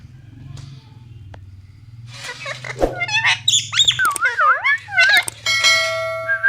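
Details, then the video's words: Pet Indian ringneck parakeet calling indoors: a jumble of harsh squawks building into warbling, wavering chattering notes, ending on a sustained steady tone, with a low hum underneath. "Funny parrot sound parrot original sound Natural sound 🦜 indian Ringneck parrot Ki awaaz"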